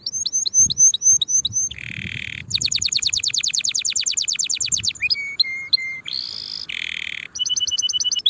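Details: Canary song for training young birds ahead of the new season: repeated whistled upslurs, a low buzzy burst, then a rapid evenly spaced trill of sweeps, followed by short rattles and high repeated notes.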